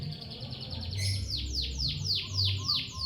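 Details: Lovebird chirping: soft quick ticking notes, then a strong run of loud, sharply falling chirps spaced evenly about three per second, with faint lower notes between them.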